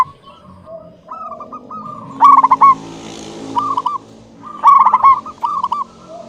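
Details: Clear-voiced local zebra dove singing steadily: soft rippling coo phrases building to two loud stuttered bursts, over a continuous low background hum like passing traffic.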